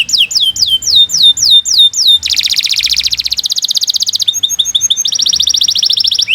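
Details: Fast, long canary song meant as a master for training other birds: repeated falling whistles, then a dense buzzy trill, quick chips and a steady high rattle to the end.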